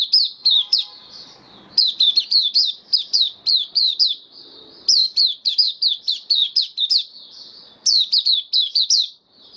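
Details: White-eye (mata puteh), a kept bird in full song on 18 May 2022 after completing deworming treatment: quick bursts of bright, high slurred chirps repeated in rapid series with brief pauses between phrases.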